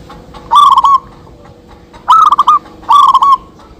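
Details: Zebra dove song, doves calling back and forth, used as a lure: three short rolling phrases of clipped, bouncing coos about a second apart, with a low steady hum underneath.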